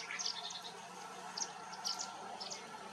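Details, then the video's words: Yellow-billed babbler at Hampi giving short, high, squeaky chirps in scattered bursts about every half second, over a steady hiss of background noise. "Yellow billed babbler call"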